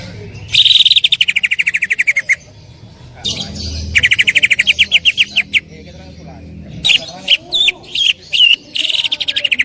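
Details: Greater green leafbird, a loud singer used as a training recording, pours out loud rapid rattling trills in long bursts, separated by pauses, ending with sharp whistled notes.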